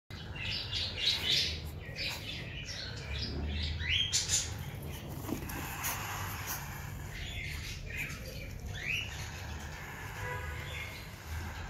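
Cockatiel giving rapid, high chirps and short rising whistled calls while guarding its chicks.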